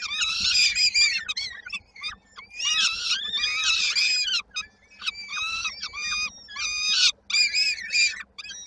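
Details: Young peregrine falcons in Koszalin on 19 May 2022 waiting for the mother to arrive with an evening meal, giving loud, rasping, strongly harmonic screams in dense clusters of quick repeated notes, separated by short gaps.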